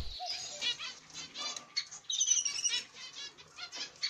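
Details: Masked black-cheeked mutation zebra finches, a pair with their chicks in the nest; dense, harsh, high chattering calls with buzzy stacked tones, rapidly repeated in irregular bursts, one short lower whistle near the start.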